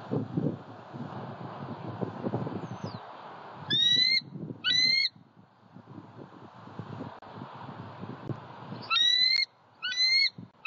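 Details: Southwest Florida eagle heard on a February 23, 2020 pond visit. Two pairs of short, high, thin whistled notes, the pairs about five seconds apart. Rumbling wind-like noise and a constant hiss run underneath.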